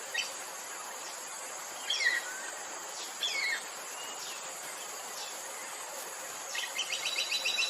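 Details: Buff-rumped woodpecker (Meiglyptes tristis), a Southeast Asian species, gives a few brief, high, down-slurred notes spaced a second or more apart, over a steady hiss of insects.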